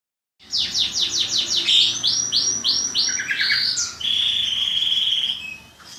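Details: Caged songbirds in Indonesia sing against each other in a training session for local and national bird contests. Rapid run of sharp descending whistled notes, then a series of rising slurred notes, ending in a long buzzy trill.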